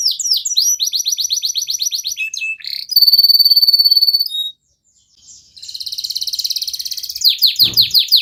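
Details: Lively canary song used to set off stalled canaries: quick high chirps, rapid descending trill notes, long even buzzy rolls, a short pause, then dense rolled trills and sharp sweeping notes.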